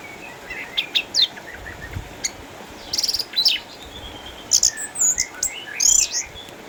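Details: Caged orange-headed thrush in Sukabumi, Indonesia, eight years old, retired from contests by cataracts yet still singing: scattered sharp high chips, brief buzzy trills and short whistled phrases separated by pauses.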